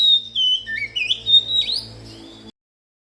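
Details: Lure recording of an Oriental magpie-robin singing to coax other magpie-robins into song: bright whistled notes that dip, rise and twist in a quick, varied phrase lasting about two and a half seconds before stopping abruptly.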